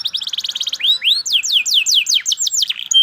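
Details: Singing canary: a rapid stuttered trill, then a series of loud sweeping downslurred whistles, ending in a thin high clear note.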